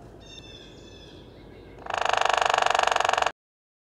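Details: Hairy Woodpecker drumming, a communication used by both sexes year-round to establish and defend territory, court, call a mate or raise alarm: a rapid, even-paced burst of dry knocks lasting about one and a half seconds, preceded by faint thin tones.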